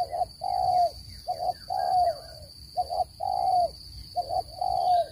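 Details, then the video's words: Spotted dove voice used as a trap lure, standard and noise-free: rhythmic deep coos, two short notes then a long hoot, repeated across the stretch, with soft distant chirps and a steady electronic hum. "Tiếng chim cu gáy dùng để bẫy chim,giọng chuẩn không tạp âm"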